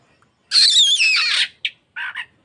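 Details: Oriental magpie-robin lure song meant to make caged birds sing and fan their tails: one loud harsh, buzzy scratchy phrase with thin whistled overtones, then a short click and two rasping notes.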